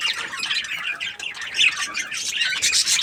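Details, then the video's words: Short burst of contented budgerigar chirping: fast, twittering high notes and warbles packed closely together, loud and unbroken. "Happy Budgie chirping sounds"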